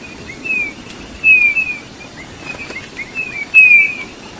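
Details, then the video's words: Eurasian bullfinch producing a series of gentle, mournful whistles, each sliding slightly downward, some faint and some louder, spaced irregularly about half a second to a second apart. "chant de bouvreuils - song Pyrrhula - طائر الدغناش"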